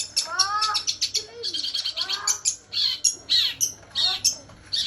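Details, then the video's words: Long-tailed shrike singing a varied mimicking song, mixing low descending harmonic notes with high sharp chips and squeaky phrases in quick succession. "CENDET ISIAN GEREJA SAMBUNG KUNTI"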